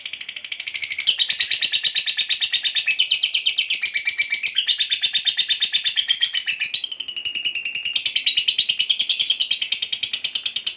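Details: Lovebird of the fighter type giving a long 'ngekek' chattering call used to call and lure other lovebirds, recorded indoors: shrill, rapid, unbroken high chatter of about three notes per second, with a brief shift in tone near seven seconds.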